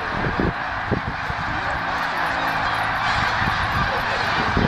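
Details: Evening flight of snow geese from field to lake at Middle Creek Wildlife Management Area in Pennsylvania, 2012: an unbroken din of countless honking voices, with sharper single calls popping out irregularly above the mass.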